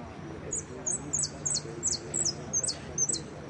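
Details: Caged jilguero entered in a singing competition, the Blanco de Repique category of the Copa Federación: quick, very high, sharp chirped notes, about eight in a row, each a short descending flick, over low background murmur.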